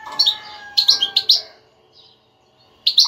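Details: European goldfinch twittering in quick bursts of bright, high chirps and liquid notes, pausing briefly before a final burst, faint steady tones underneath; a stimulating song meant to prompt silent captive goldfinches to sing.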